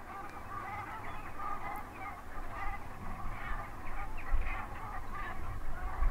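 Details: Brent goose, given as subspecies nigricans, on the saltmarshes at Stiffkey on the Norfolk coast; a flock keeps up a murmuring chorus of short, rolling, guttural calls that overlap throughout, over a steady low rumble of wind.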